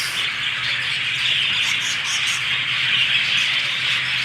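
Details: A flock of budgerigars in a zoo walk-through aviary in Monroe, Louisiana, around feeding time, keeps up a dense, unbroken chatter of high chirps and warbles, with a faint low hum underneath.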